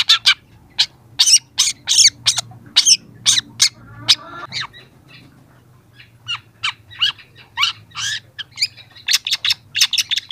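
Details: Young long-tailed shrike singing as a training recording for young shrikes, a fast string of sharp chirps, clicks and scratchy notes with a brief pause and a soft low hum underneath.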